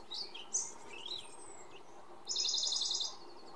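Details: Singing Iberian pied flycatcher, Sierra de Piedrahita, central Spain, 4 May 2014: scattered high chirps and a thin descending whistle, then a loud, rapid, even trill of high repeated notes lasting under a second.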